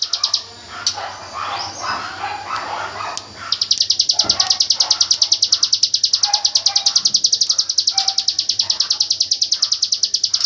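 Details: Hill prinia in the rapid-fire song style known locally as AK47 bursts, recorded as training song for white-rumped shamas: after scattered softer chirps, a fast, high, machine-gun series of clipped notes runs steadily to the end, other birds chirping lower underneath.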